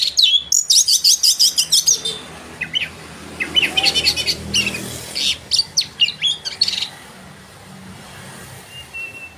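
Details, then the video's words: Oriental magpie-robin singing vigorously, used as a lure to provoke rival birds: rapid bursts of high, scratchy, buzzy notes repeated about twice a second, then sharp chips and whistled phrases with short pauses, and a faint thin whistle near the end. "pancingan burung Kacer gacor ini bisa mendobrak emosi lawan mu dengan cepat"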